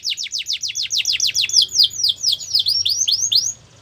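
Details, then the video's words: Canary song: a loud fast trill of sweeping upward-curved whistled notes, about four a second, bright and clear, ending abruptly in quiet. "Canary Sound Effect | Canary Singing Video"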